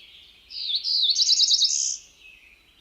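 A Cerulean Warbler sings a high, buzzy phrase lasting about a second and a half: quick buzzy notes speeding up into a rising buzz, over quiet background.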